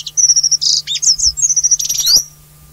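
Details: A Taiwan endemic-subspecies Alpine accentor at high altitude on Hehuanshan, Taiwan, gives a quick, rippling run of high twittering chirps and warbled trills lasting about two seconds, over a faint steady low hum.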